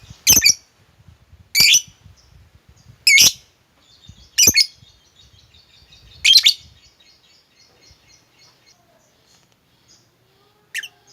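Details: Lovebird heard in a recording meant to rouse a quiet bird to sing, giving single sharp, harsh chirps spaced one to two seconds apart, six in all, with faint soft rustling between them.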